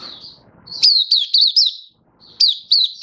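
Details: Open 'buka' singing by a Malaysian white-eye, Singapore, warm sunny weather, 20 March 2023: a short high run of sharp up-slurred whistles, a pause, then two more quick bright notes.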